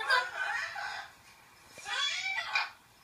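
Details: Captive adult male yellow-shouldered amazon parrot, ten years old and recently adopted, calling excitedly indoors: two bursts of harsh, rising and falling harmonic squawks about two seconds apart, with a quiet gap between them.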